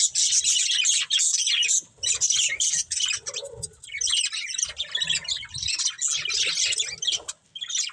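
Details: A breeding pair of budgies chirps in dense, high warbling chatter, with rapid scratchy twitters running almost without pause and brief quieter gaps.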